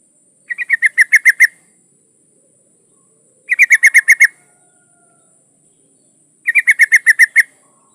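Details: Yellow-vented bulbul female in breeding condition calling to a male: three identical bursts of about eight rapid, slightly descending chattering notes, repeated roughly every three seconds with silence between.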